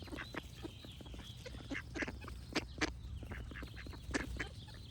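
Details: Ducks quacking in clipped, raspy bursts at an uneven quick pace, with thin whistled bird notes drifting in the background and a low continuous rumble underneath.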